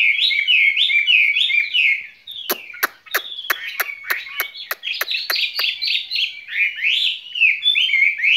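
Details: Caged skylark singing a spring love song: rapid chirpy phrases in a high band, broken midway by a fast series of sharp dry clicks, then more warbled, rising notes.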